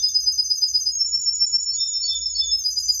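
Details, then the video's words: Tame canary singing steadily: a continuous high, fast-trembling trill held at a near-even pitch, with a brief lower note dipping in near the end. "Suara Burung Kenari Gacor Jinak"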